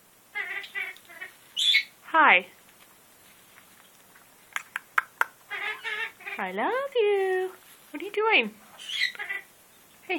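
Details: Male military macaw bluffing with hormonal aggression while guarding the top of his cage indoors: harsh harmonic squawks, some swooping up and down sharply, in irregular bursts with quiet gaps.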